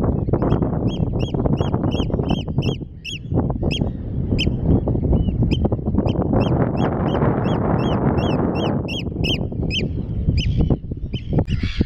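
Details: Eurasian oystercatchers on grassland and mudflats at Terschelling, the Netherlands, give shrill, piping kleep notes in a fast run of about four per second over steady wind rumble.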